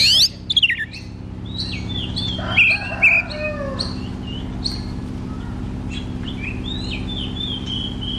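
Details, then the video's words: White-rumped shama, kept for song training of a shama that sings little, giving scattered whistled and slurred notes, some rising and falling, with short loud bursts early on over a steady low hum. "KACER GACOR TERAPI KACER MALAS BUNYI"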